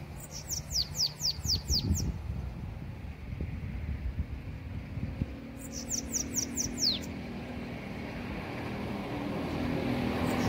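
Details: A Bananaquit (Coereba flaveola) of the Belgian type sings two short bursts of six or seven very high, thin notes slurring quickly downward, with a steady low rumble of traffic or wind beneath.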